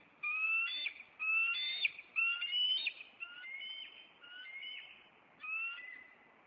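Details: Bald eagle nest pair in Maine, April 26, with the male flying in at an intruder. A repeated series of high whistled notes, each with a lower companion tone, comes about once a second with short piping breaks.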